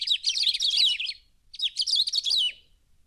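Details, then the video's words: Two quick bursts of high, twittering chatter from Cerrado birds of Brazil, each lasting about a second, separated by a brief silence. "CANTO de AVES do CERRADO BRASILEIRO"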